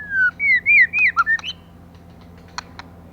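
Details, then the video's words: White-rumped shama female, song for stimulating males: a rapid string of loud, liquid whistled notes swooping up and down for about a second and a half, followed by scattered faint clicks. "CHOÈ LỬA MÁI.choè lửa mái kích trống"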